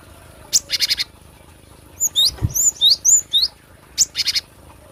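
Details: Cinereous tit for luring or song training: harsh buzzy four-note chatters open and close a lively run of high, twisting whistled notes in the middle.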